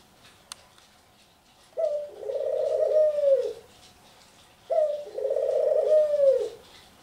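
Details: Pet ringneck dove indoors, cooing twice about three seconds apart; each coo opens with a short clipped note, then swells into a long purring roll that fades away, with a faint click before the first.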